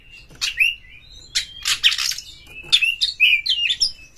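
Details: Provoking song of a kacer, the white-rumped shama, used to rouse other birds: harsh rasping bursts mixed with steady whistled tones and quick warbled slurs, nearly continuous.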